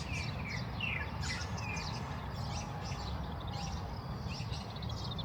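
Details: Oriental greenfinch giving quick twittering calls and short downslurred whistles, with several birds chirping over a loud, constant low traffic-like rumble.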